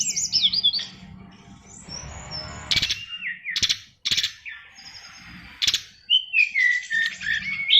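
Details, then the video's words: Oriental magpie-robin 'isian luber' fighter song: tangled high chirped phrases and soft whistles broken by several sharp clicks, ending in loud varied whistled notes. "SRDC Fighter isian luber"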